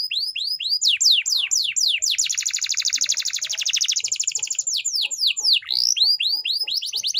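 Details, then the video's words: Canary singing a training song: quick descending whistled notes lead into a long dense rolling trill, then more downward sweeps and rising slurs, high and bright throughout. "canary bird singing _your canary will not stop singing with this training song_الكناري"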